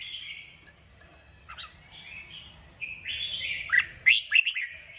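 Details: Red-whiskered bulbul (Pycnonotus jocosus), song.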